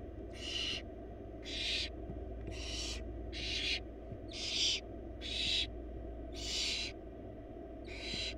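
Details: Four wild barn owl young begging in a nest box as the female brings a huge bunny for dinner; rasping, noisy hisses in a steady train, roughly one per second, each about half a second long, with a constant low hum beneath.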